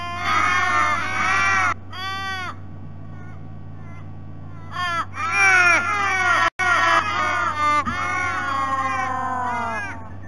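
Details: A very noisy morning visit by ravens to a sea-eagle nest at Sydney Olympic Park, Australia, on 3 February: overlapping harsh, drawn-out wailing calls from more than one bird, a short lull, then a dense burst of calls, with low hum throughout.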